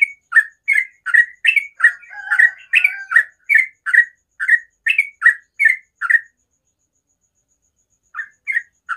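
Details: Sooty-headed bulbul morning song: a long, fast sequence of gritty chirping notes repeated about two and a half times a second, briefly overlapped by lower notes, then a pause and a few more chirps.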